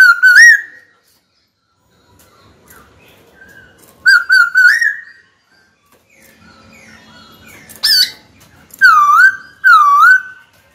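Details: Kept white-cheeked laughingthrush singing to summon a rival for a fight, producing loud clear whistled phrases of wavering, rising notes separated by long quiet gaps, with faint background noise between.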